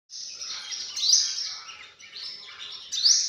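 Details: Sunbird calling: thin, high, sizzling notes with sharp upward flicks, repeated about once a second in a continuous shrill stream.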